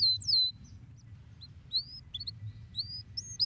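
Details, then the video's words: Canary song for stimulating other canaries: a few high, thin slurred whistles and isolated sharp chirps scattered across a brief phrase, with soft low hum beneath. "potente! bons canários .. estimulam muito rapidamente o som do chilrear dos canários preguiçosos"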